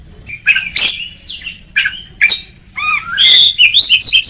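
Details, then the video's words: Oriental magpie-robin (kacer) singing in ngeplong style, a training recording for lazy birds: loud separate whistled phrases, some falling and some rising, with a dense burst of high warbled notes near the end. "Kacer Ngeplong!!!"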